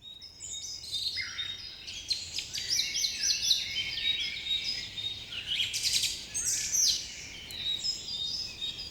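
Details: Morning bird chorus: many birds chirping together in overlapping high, bright twitters and short trills that run without a break, with a faint low hum underneath.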